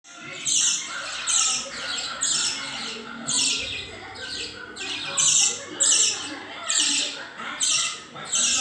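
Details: Hand-tamed budgerigars in Chennai give harsh, scratchy squawks and chirps in repeated bursts about every second.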